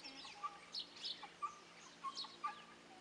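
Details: Pharaoh quail giving short, clear chirps repeated roughly once a second, each a brief flat note, with fainter high twittering notes scattered between them over a quiet background.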